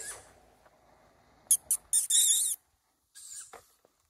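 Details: Tawny owl; begging call; young calling for food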